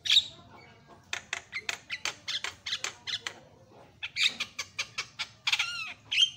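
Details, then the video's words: Javan myna giving loud calls meant to set other mynas calling: a fast run of short clicking, rasping notes, about four per second, with a few whistles and a downslurred squeak near the end. "JALAK KEBO MACET LANGSUNG CEREWET,WAJIB COBA!"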